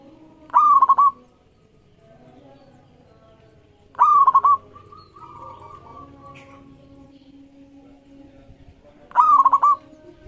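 Zebra dove giving three short bursts of rapid, rolling cooing notes at a mid pitch, spaced a few seconds apart, over a faint background hum.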